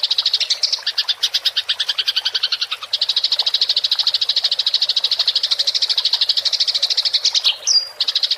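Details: Fighting house sparrow delivering rolling chatter, a clean tutoring recording for songbirds: fast, rattling high chirps running almost continuously for eight seconds, with a short whistled note near the end.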